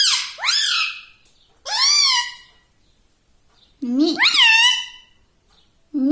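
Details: Talking parrot kept as a pet gives four bright, word-like vocal bursts, each sweeping sharply upward then easing down, spaced by a second or more of silence.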